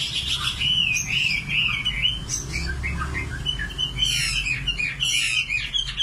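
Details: Common nightingale song of warbled sliding notes followed by rapid repeated trills, with a faint low rumble beneath.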